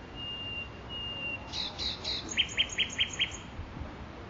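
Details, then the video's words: Makui park nightingale: two long, even whistles followed by a loud, pulsing series of about five or six emphatic rapid notes, with faint higher ticks above and soft ambient hiss. "صدای بلبل"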